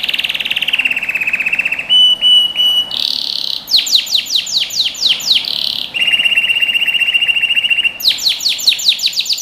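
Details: Canary singing for young birds to learn from: a low, steady trill, a short pulsed phrase, a buzzy roll, then quick bursts of falling whistled notes alternating with long rolled trills.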